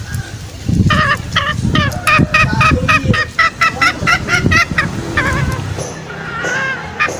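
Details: Green junglefowl lure call for trapping, used in forest to draw males out toward snares: a dense run of rapid, harmonic, honking notes, about four each second, over low rumbling background noise, then a quieter tail.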